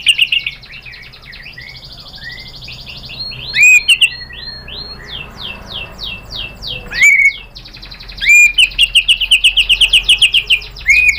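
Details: White-rumped shama singing to goad a rival bird into answering: rapid sweeping chirps and trills in a long varied stream, broken by loud clipped bursts and ringing rising whistles, over a low steady hum.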